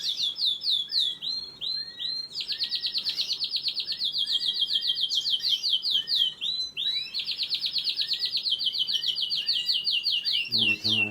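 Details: Baby canaries being fed pour out loud, rapid, high chittering notes in long pulsed bursts, several per second, with brief pauses between runs and a soft low thump at the close.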